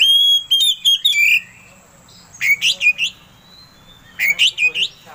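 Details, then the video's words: Oriental magpie-robin song used to provoke a rival into singing: a steady whistle breaking into sharp notes, then two short bursts of buzzy, warbling slurs after pauses. "Suara Pancingan Kacer Agar Cepat Emosi Gacor"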